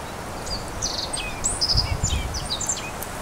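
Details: Male black-faced bunting singing on Teuri Island, Japan, on 28 April 2019: a scatter of thin, high chirps and short sliding notes over about three seconds, partly masked by a low wind rumble.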